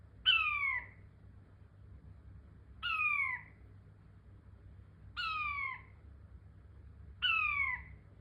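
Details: A King quail calls four times, each a short, bright whistle falling in pitch, separated by gaps of about two seconds over a soft low-frequency hum.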